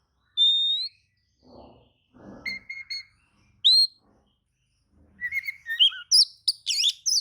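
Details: Oriental magpie-robin song that is said to get other magpie-robins to answer: a long pure whistle, short repeated mid-pitched notes, a sharp rising whistle, then a fast jumble of varied chirps and trills. Quiet knocking sounds occur in between.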